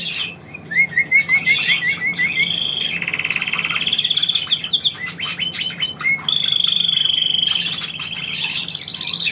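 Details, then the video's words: Domestic pet bird performing on command: a series of quick rising notes, followed by long fast trills alternating in pitch, a few sharp chirps, and a final high buzzy trill. "Hansi trillert auf Komando"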